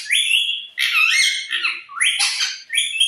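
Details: Pet parrot producing loud harsh squawks and chatter in four close bursts, rough and broadband, with one brief low note in the middle.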